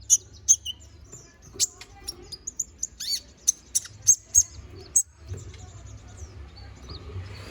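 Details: Konin bird singing gacor as a master song for magpie-robins: high sharp chirps spaced about half a second apart with soft twittering between them, fading to quieter notes after five seconds.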